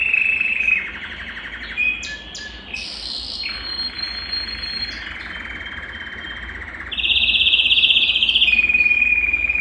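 A Belgian canary sings a continuous bright song of sustained high trills and rolling tours, shifting between fast buzzy rolls and clear piping notes.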